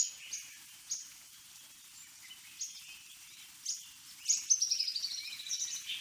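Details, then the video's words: Scattered thin high chirps from a fork-tailed sunbird (Aethopyga christinae), ending in a fast, slightly descending high trill of rapid repeated notes. "Fork tailed Sunbird Aethopyga christinae🐦🕊️ 🦜🎵❤️| The Most Stunning Bird Songs"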